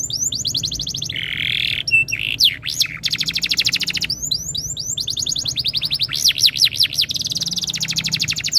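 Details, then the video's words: Canary singing a tutor song to encourage other canaries: rapid rattling trills, a low buzzy note, looping whistles and arching sweeps, delivered almost without pause. "MASTERAN BURUNG KENARI ABAD INI - BIKIN KENARI LAIN IKUT BUNYI"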